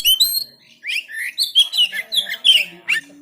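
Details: Oriental magpie-robin recorded on an Android phone in Banten, Indonesia, used as a training recording to make silent birds sing. Insistent, varied song of sharp whistled and slurred phrases, with a short pause midway and a final rising note.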